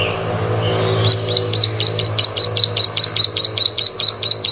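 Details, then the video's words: Plain prinia singing vigorously: after a second of soft lead-in notes, a fast run of sharp, high, clipped notes repeated about four times per second. A steady low hum runs underneath. "Prenjak Sawah Gacor"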